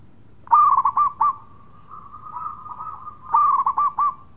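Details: Local zebra dove, a perkutut in full voice, dancing before it coos: a clipped, stuttering run of low coos on a near-steady pitch, then a long soft trilled note, then the stuttered coos again.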